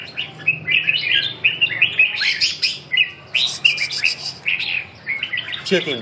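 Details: Caged red-whiskered bulbul in a singing exchange with a prize-winning bird from Hai Phong, delivering a rapid run of chirpy whistled phrases with a burst of harsh clicking notes in the middle and a human voice at the close.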